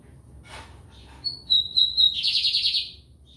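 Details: Lined seedeater (bigodinho) from São Luís, Maranhão, Brazil: a soft low knock, then high sharp whistled notes leading into a drawn whistle that turns into a rapid, rasping, buzzy trill.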